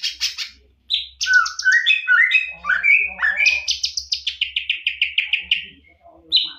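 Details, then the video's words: Varied tutor song from a champion greater green leafbird: loud sweeping whistles and slurred warbles flowing into a steady run of rapid repeated notes, ending with a short, bright whistled phrase after a quiet moment. "Masteran Cucak Ijo Full Isian Burung Juara"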